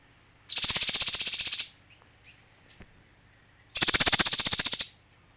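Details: Male kinoi giving two dry, buzzy rattles about a second long each, made of rapid even pulses and separated by a short pause with faint chirps between them.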